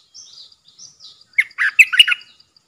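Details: Caged decoy bulbul on 13 April 2021, luring in wild birds: faint, thin, high notes, then a loud, tumbling phrase of bubbling, liquid, warbled notes.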